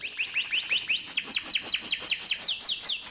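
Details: Canary singing a series of swooping downslurred notes repeated roughly every fifth of a second, loud and clear, as a model song for young canaries learning to sing.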